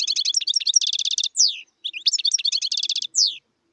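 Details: A wild European goldfinch sings in 2018, two rapid twittering phrases of bright, jangling notes and buzzy trills, each ending with a falling, nasal slurred note.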